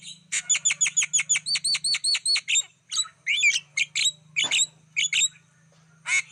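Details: Wild-bird lure of a Black-winged starling: a fast, even series of about twelve repeated chirps, then sparser squeaky notes, twisting whistles and short rough calls, with a faint low hum underneath.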